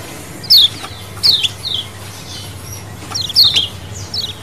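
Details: Sparse calls from a lemon-bellied white-eye colony, a wild-style lure recording: single high chirps sweeping downward, spaced about half a second to a second apart, with a soft steady background murmur.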